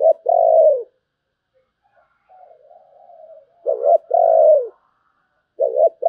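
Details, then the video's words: 'Sấm bầu' style song of a spotted dove: a long mellow coo, a pause with faint murmuring, then a doubled note and a long falling coo, and a new phrase beginning at the end. "Tiếng chim cu gáy chuẩn sấm bầu"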